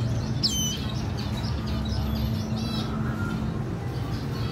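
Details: A red siskin raising her chick, recorded 14/4/2021. One clear falling whistle opens, followed by a run of faint, quick high chirps, all set against steady low-pitched background hum.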